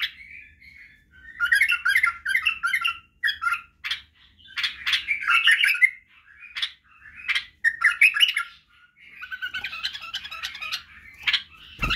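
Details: Bulbul song played as a tutor for young bulbuls: irregular, hurried phrases of bubbly, chirping notes broken by brief silences and sharp clicks, ending in a loud knock.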